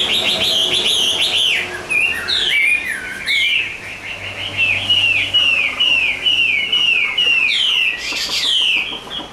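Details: Rich whistled song from a Chinese hwamei noted for singing well: rapid swooping phrases, many short upslurred notes strung in fast series, with a steady low background hum.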